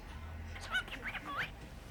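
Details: A pet cockatiel talks, saying phrases like "pretty boy" and "good boy". It chatters in short, speech-like bursts with gliding mid-pitched whistles that rise and fall, over a low room hum.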